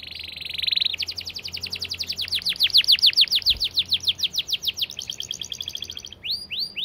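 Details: Canary delivering a clear, long-duration 'speed rapat' song: a buzzy trill opens into an extended, very fast series of falling whistled notes that swell and fade, ending with a few separate sweeps.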